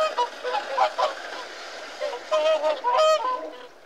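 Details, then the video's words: Whooper swan calls, nasal trumpeting honks from several birds overlapping, with short bursts and a loud clear honk near three seconds over steady background chatter. "Whooper Swan Bird Call Bird Song"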